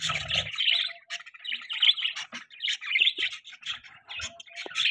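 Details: Chattering budgies at morning time: rapid, scratchy chirps and warbled squeaks in short bursts, almost entirely high-pitched, with a brief low hum at the start.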